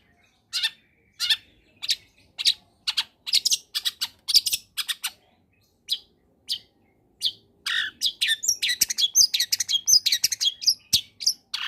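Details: An actively singing long-tailed shrike gives a varied combination song meant to stir quiet shrikes into singing. Short sharp chips repeat about twice a second, then speed into a dense, jumbled chatter of high notes.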